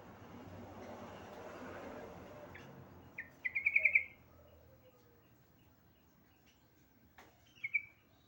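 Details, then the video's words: A female yellow-vented bulbul calls to a male: a quick rattling trill after a few soft chirps, then a shorter trill several seconds later, against faint background noise. "BURUNG TRUCUKAN BETINA MEMANGGIL JANTAN"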